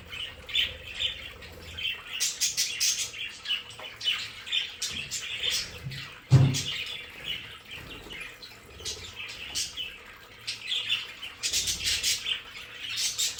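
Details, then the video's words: Captive budgerigars in an indoor play area keep up busy, high twittering and chirping. A single dull thump sounds near the middle, and soft low rustling runs beneath the warbling. "Sonidos de periquitos Australianos"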